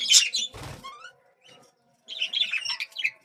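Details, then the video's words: Budgerigar (bajri) chicks at feeding time in a breeding setup give high, raspy, chattering squeaks in quick bursts, with a brief broadband rustle and a pause before the chatter resumes. "Bajri chicks feeding time"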